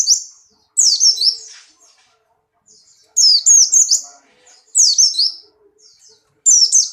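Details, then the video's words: Buxtoni white-eye in strong breeding condition, caged and leaping about. Repeated bursts of shrill, rapid, falling whistled notes with warbling trills, four phrases about one and a half seconds apart, with quiet gaps between. "burung pleci Buxtoni birahi kencang loncat indah nembak"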